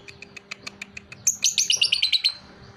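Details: Caged lovebird 'paud', two and a half months old and kept for fighting, ticking softly at first, then bursting into a rapid series of sharp, buzzy chattered notes that fade out.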